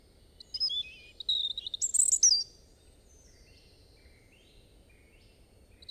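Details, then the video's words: A European robin delivers a short, liquid warbling phrase with high piercing whistles, followed by very faint distant bird notes over a low background hiss. "Robin Bird Song"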